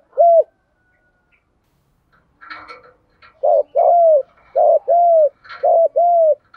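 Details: Female decoy spotted dove calling to stir up wild males, '1 hậu' style: a single short coo, a pause with a faint rustling burst, then three pairs of low bowed coos, each pair short then longer.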